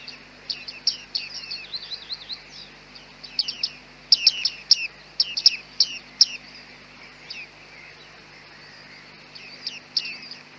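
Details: Several bearded reedlings in fog, recorded with a Panasonic G9 and 100-400 lens, trade rapid, ringing ping notes that fall in pitch. Busy chattering runs give way to a quieter stretch, then a few more calls.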